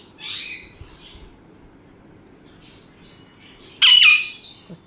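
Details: Playing sun conures: a short rasping call early on, scattered soft chirps, then one very loud, piercing squawk near the end.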